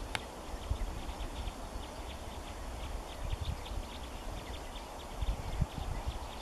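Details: Red crossbills from a flock of 47 at Clumber Park on 14 January 2014: short, sharp chip notes repeated in quick succession and overlapping from several birds, over a steady low rumble of wind.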